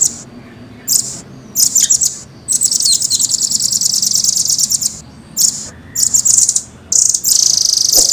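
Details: Red-billed, blue-grey velvet-fronted nuthatch in a cage, pouring out bursts of shrill rapid trills, one sustained rolling phrase lasting several seconds amid shorter chattering runs.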